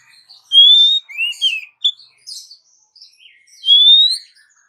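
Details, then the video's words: Oriental magpie-robin, a female calling the male: a long steady whistle, then shorter rising and falling notes and soft twitters, and finally another long slightly rising whistle. "SUARA KACER BETINA MEMANGGIL KACER JANTAN"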